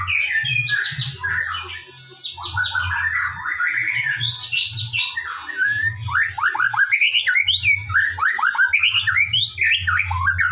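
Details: Morning white-rumped shama lure song to make shamas sing actively: continuous varied whistled phrases and quick rising note runs, rich and fluty throughout, above a steady low droning hum.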